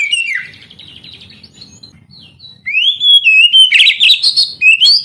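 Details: Oriental magpie-robin singing, played so idle young canaries start to sing: a dipping whistle and a quiet buzzy passage, then loud rising slurs break into rapid, harsh chattering phrases.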